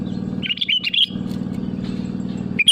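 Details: Sooty-headed bulbul in full song calling rivals, used as a lure: a short burst of bubbly, warbled notes, then a single brief phrase near the end, over a steady low hum.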